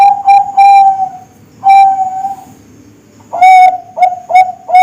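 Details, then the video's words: Bangkok-type zebra dove recorded as a song model for caged contest birds: rolling, pulsed mid-pitched coos in three bursts, a long purr, then a pause, then a fast series of short clipped notes, quiet background. "Suara Masteran Perkutut Bangkok,cocok buat Pikat & Pancingan"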